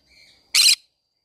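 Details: A single short, loud, buzzy screech from a green-cheeked conure in a flower garden, after a faint thin whistle.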